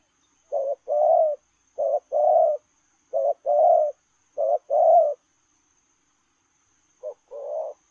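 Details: A running spotted dove delivers lèo rồng coos: four rhythmic low phrases of a short note plus a longer rough coo, evenly spaced about 1.3 seconds apart, then one more after a two-second pause.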